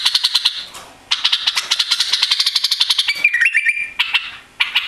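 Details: White-eared bulbul, recently arrived and tailless after a journey to Europe, gives a fast rattling chatter that breaks into a clear stepped whistle dropping then rising, followed by further chattering notes.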